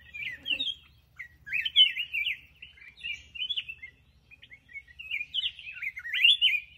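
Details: A black-crested bulbul sings lively, chattering warbles in three main bursts, each made of rapid slurred whistles, separated by short silences.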